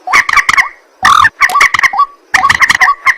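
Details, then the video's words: A white-breasted waterhen calls at night in three clumps of harsh, chattering, nasal notes, each ending in a rising twang, with short silences between. "ruak ruak mandar batu mp3 2 suara burung malam hari"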